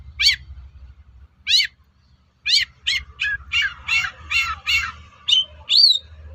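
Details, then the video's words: Long-tailed shrike singing to provoke rival shrikes to reply: harsh arched nasal calls, first spaced, then in a quickening series of rough notes, ending with a rising whistle. "SUARA PANCINGAN BURUNG CENDET AGAR MAU NYAUT GACOR"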